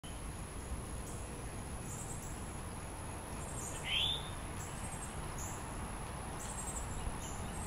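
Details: Northern cardinal, a male feeding a juvenile, filmed in Diamondhead, Mississippi in July 2016: one short, bright note sweeping quickly upward near the middle, with a steady hiss of background noise and faint high chirps.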